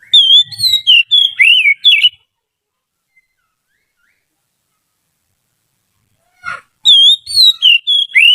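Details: Trained white-rumped shama song for tutoring other birds: a rapid string of varied whistled notes, a long silence, a brief rasp, then another whistled run.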